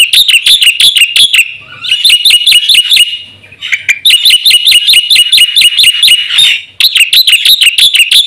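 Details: Black-winged myna in sustained song, used as a lure and training recording for caged birds: repeated fast runs of sharp, bright chirps separated by short pauses, lively and insistent throughout.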